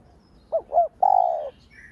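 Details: Spotted dove used as a lure to stir other doves, giving one cooing phrase: two quick low rising notes followed by a single longer level coo, then a faint higher chirp at the end.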